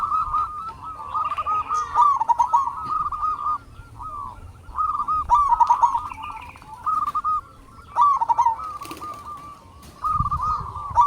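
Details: Local zebra doves sing as a lure to stir other doves into song, with bouts of rapid, rolling cooing separated by short pauses about every two seconds. Several birds overlap.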